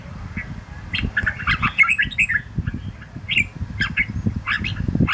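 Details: Red-whiskered bulbul singing in the morning, in a recording meant for voice training to fire up birds: short warbled, chattering phrases over a steady low rumbling background noise.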